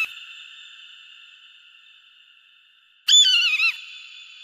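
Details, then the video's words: A long, fading ringing tone from an earlier eagle cry, then a fresh wavering, shrill scream with quick pitch wobbles, ending with a short clipped note. "SUARA MASTER BURUNG ELANG || eagle and its distinctive voice"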